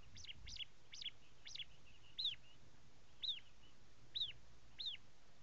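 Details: Prinia, local name ciblek or jabang karang, delivering a series of high arched chirps, quick at first then spaced about a second apart, each note rising and falling.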